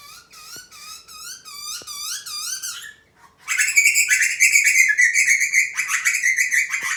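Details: Butcherbird feeding its young: a series of wavering whistled notes, then a loud harsh buzzy rapid chatter of begging calls lasting several seconds.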